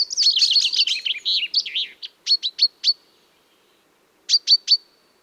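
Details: Common chaffinch song used as a hunting lure: a rapid series of high, bright notes tumbling downward for about two seconds, followed by short sharp chips, then a brief burst of three more chips after a pause.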